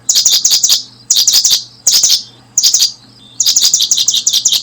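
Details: Paddyfield pipit while brooding; clusters of sharp, high chirps in bursts of three to five notes, separated by short pauses of about half a second, over a faint steady low hum.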